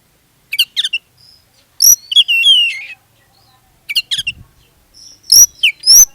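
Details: Oriental magpie-robin giving gacor lure song to prompt other magpie-robins to sing: clusters of sharp chirps, long gliding whistles and rising high notes in two separated bursts.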